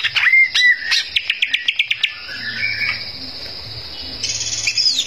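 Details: Greater green leafbird in loud song meant to anger rivals: opening clear whistles give way to a quick series of sharp, evenly spaced chips, followed by softer notes and a steady high hum.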